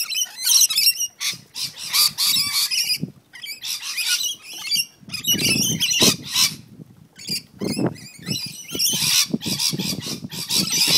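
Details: Rainbow lorikeets fighting in a back yard on the Central Coast of New South Wales, Australia: harsh, grating screeches and rapid chattering squawks from several birds in dense, overlapping bursts, with low rustling and scuffling beneath.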